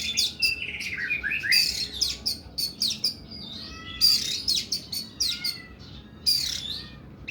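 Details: Oriental magpie-robin giving a long, harsh 'nembak' song: rapid bursts of high, rasping notes mixed with sliding whistles and short chirps, phrases repeated every second or two in a quiet room.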